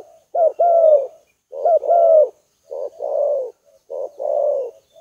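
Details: Lure call of a spotted dove: repeated low cooing phrases about a second long. Each opens with a quick clipped note, then a drawn-out, slightly falling coo, with short pauses between phrases.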